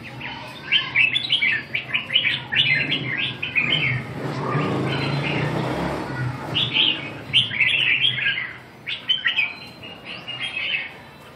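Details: Caged red-whiskered bulbul singing, its voice described as rather weak; bright, chirpy warbled phrases in quick bursts, pausing midway under a spell of broad rustling noise before resuming.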